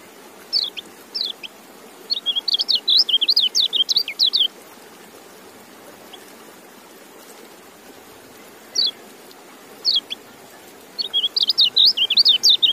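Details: Kecial (white-eye) song: bursts of rapid, high, zigzagging twittered notes in long runs, broken by pauses with a few isolated chirps, then another fast twittering phrase, all over low background hiss.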